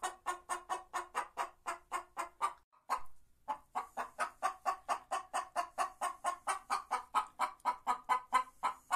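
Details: A White Leghorn hen sings with a steady string of short, throaty clucks, about two per second. There is a brief pause near three seconds, then the clucks resume at the same pace.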